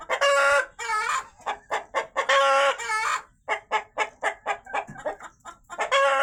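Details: On a poultry farm, a rooster cries out after a hen has laid eggs, loudly and plaintively: runs of short, rapid clucks broken by long, drawn-out squawks, three in six seconds, with nothing else heard.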